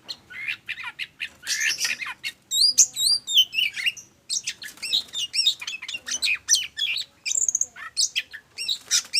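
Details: Lure song of an oriental magpie-robin, intended to trigger singing in other birds and called energetic: rich run of high chirps, buzzy squeaks and rolling looped whistles, delivered in fast, varied phrases with few pauses.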